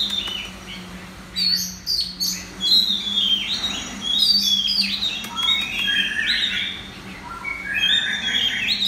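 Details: At a central Vietnam singing contest, a red-whiskered bulbul delivers loud bursts of fluty, warbled phrases separated by brief pauses, accompanied by a constant low electrical hum.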